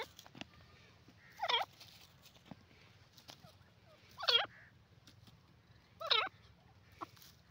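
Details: Three loud, quick, wavering francolin calls, each lasting about half a second and spaced two to three seconds apart, with a low hum and a few faint clicks behind them.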